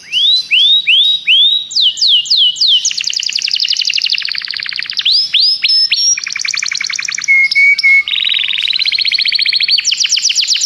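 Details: Common canary song, a long varied sequence: rising whistled sweeps, rapid repeated clicky trills, steady pure whistled tones and a dry fast rattle, changing phrase every second or two.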